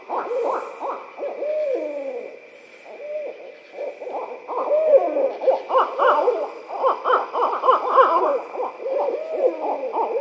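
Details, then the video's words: Two barred owls near Suwannee River State Park, Florida, trade excited laughing calls: a dense chorus of rapid cackling hoots and descending slurred hoots overlapping loudly, easing briefly mid-clip before building again, with a steady high drone behind. "Barred owls laughing"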